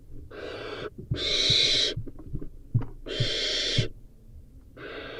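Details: A young barn owl in the nest feeding on a rodent gives drawn-out breathy screeching hisses, each under a second, with quiet shuffling and taps between them.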